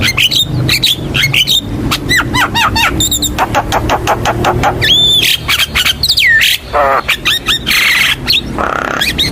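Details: Javan myna lure song for young birds: dense varied chatter of clicks, slurred whistles and squeaky notes over a low background hum.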